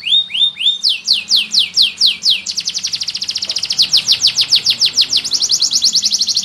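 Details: Male Abyssinian yellow canary singing: looping rising notes, then a run of sweeping whistles, a rapid rattling trill, and finally another quick series of bright repeated sweeps.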